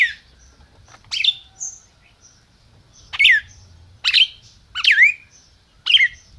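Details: Red-crested cardinal held by a registered Brazilian breeder, calling: sharp chip-like notes with downward slurs, irregularly spaced and some doubled, over soft background hum.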